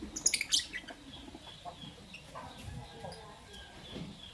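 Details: Lovebirds, Albino and Euwing Green Opaline, in the morning: a quick burst of sharp, shrill high chirps early on, then fainter scattered chirps and soft clucking-like sounds over a steady background murmur.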